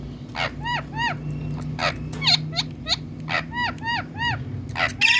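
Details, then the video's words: Green Indian talking parrot giving a steady series of short, harsh, arched squawks, roughly two to three per second with brief gaps, plus a few sharper squeaky notes, above a low background hum. "Cute Indian Talking Parrot"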